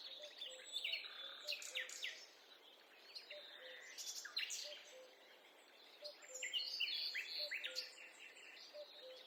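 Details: Forest birdsong on a peaceful walk: several birds overlap in rapid high chirps and short whistled phrases, rising and falling in bursts, with gentle low notes repeating underneath.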